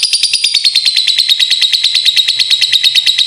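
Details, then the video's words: Lovebird lure call meant to make birds sing: a rapid, high, stuttering trill of about three notes a second, pitch dipping slightly as it goes. "Burung Lovebird ll Pancingan Suara 5 detik Langsung Gacor"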